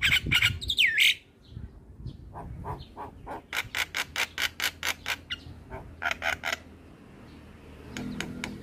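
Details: Javan myna master song with a loud swooping whistle and harsh squawks, then a long even series of clicking notes about four per second, closing in chattering bursts.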